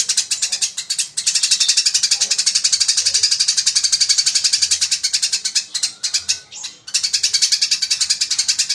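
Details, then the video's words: Eurasian tree sparrow fighting: piercing, tightly packed chirps repeated around four times a second, running on in long bouts broken by two short gaps. "MASTERAN GREJA TARUNG GACOR SPEED RAPAT SUARA ASLI"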